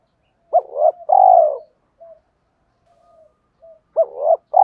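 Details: Spotted dove, male and female, cooing for training captive birds: a full phrase ending in a long falling coo, soft low murmurs, then the next phrase beginning. No other sounds.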